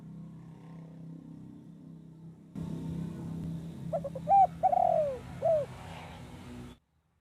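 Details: Zebra dove song meant to attract wild doves for trapping: after a low hum, a single phrase of brief stuttering notes, a long sliding coo and a short final coo.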